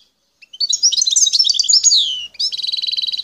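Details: Bright jumble of high twittering notes from a wild parva goldfinch of Bouthelja, El Tarf, Algeria, followed by an evenly pulsed, buzzy trill.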